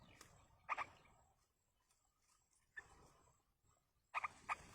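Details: A yellow-vented bulbul parent feeds chicks in the wild. Short, harsh double and triple notes break out in separate bursts between quiet gaps, with light rustling.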